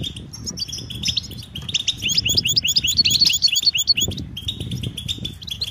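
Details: Mating calls of the European goldfinch, meant to prompt a quiet male to sing: a soft opening trill builds into a busy cascade of high, jingling chirps, then eases back to thinner twitters over low hum.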